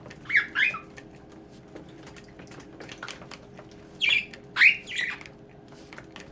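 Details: Several pet budgerigars playing in their bath indoors give two pairs of short, sharp chirping squawks, separated by a few seconds of quiet with light splashing and ticking sounds.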